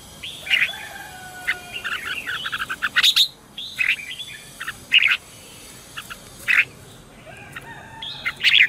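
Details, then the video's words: Red-whiskered bulbul morning song in the 'chè' style, used to train caged birds and call in wild ones: short bright warbled phrases with sharp peaks, spaced irregularly, over a faint steady background hum. "Luyện chào mào hót sáng - CHÉ GỌI BỔI CĂNG ĐÉT"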